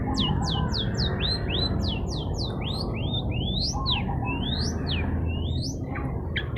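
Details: Long-tailed shrike singing hard to rile rival birds: a rapid run of loud, sweeping whistled notes, some sliding down and others rising, with an undertone of lower warbled notes and continuous low rumbling noise behind.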